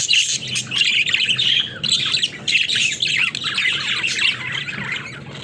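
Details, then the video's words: Several caged budgies at play, calling in busy squawking and chirping bursts with brief pauses, notes overlapping from multiple birds. "Watch These Happy Budgies Play in Their Cage"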